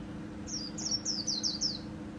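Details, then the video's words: Short 'líu' phrase from a white-eye kept by Vietnamese song enthusiasts, 2019: six crisp, high whistled notes, each sliding downward, delivered in rapid even succession over a faint background hum. "KHUYÊN LÍU HAY NHẤT 2019"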